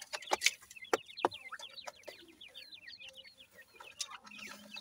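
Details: Grey francolin chicks feeding: a dense run of short, high chirps, many slurred up or down, tumbling over one another, broken by a few sharp louder clicks near the start.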